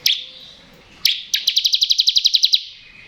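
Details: Bar-winged prinia (ciblek kristal) singing in the ngebren style, used to prompt untrained or lazy birds to sing: two sharp high chips, then a fast rattling trill of about thirteen buzzy pulses lasting over a second.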